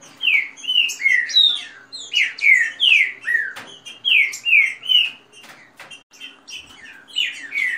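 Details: Rapid rain-style song with female calls from kept Green-winged saltators in dispute: bright down-slurred whistles in steady close-packed runs, a brief break past six seconds, then the phrases resume.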